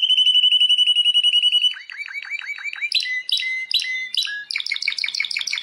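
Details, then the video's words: A world champion canary sings a fast even trill, then a string of downward-swooping notes, then sharp high chirps and a quick burst of bright clipped notes. "Canto de canario"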